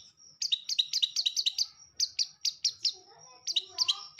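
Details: Long-tailed shrike singing energetically: a rapid string of sharp two-part chirps, about six per second at first, then spaced phrases with a soft warbling underneath.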